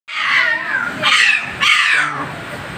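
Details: An angry parrot lets out a long, harsh, grating squawk followed by two further raspy screams, loud and close.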